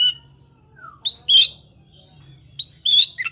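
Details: Oriental magpie-robin song: two bursts of loud, varied whistled and rich warbling phrases with sharp rising and falling notes, separated by a quiet gap, with a low steady hum underneath.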